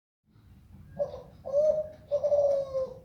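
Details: Zebra dove giving its melodious song: three low, smooth cooing notes at a steady pitch, each louder and longer than the last, the final coo drawn out and gently falling at its end.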